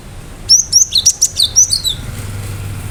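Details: Sharp-noted gacor song of a cinereous tit (gelatik batu), meant to make listening birds reply: one quick sequence of roughly eight thin, high whistles swinging between two pitches, ending abruptly, then faint hum.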